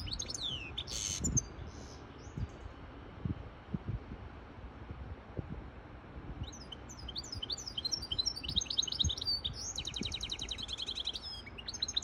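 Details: Hybrid European goldfinch singing for chicks and to arouse a female for mating; one early high trill, then from six seconds a lively run of tinkling, twittering notes with a buzzy passage, above faint low knocks.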